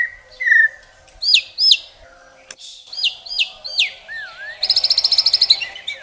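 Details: Rich murai (white-rumped shama) song: clear hooked whistles in pairs, a wavering slurred note, then a rapid bright trill of repeated notes ending in twittering, on a quiet hum.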